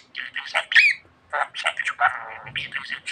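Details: Chatty pet budgerigar giving grating squawky syllables and short whistled slurs in quick clusters, with a brief pause before the chatter resumes.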